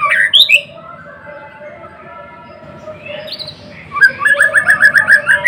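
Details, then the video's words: Murai batu, blorok type, in lively song: opening slurred whistles, a softer warbling pause, then a fast, evenly repeated run of bright chirped notes to the close. "Kicauan MURAI BATU GACOR (Murai Blorok gacor)"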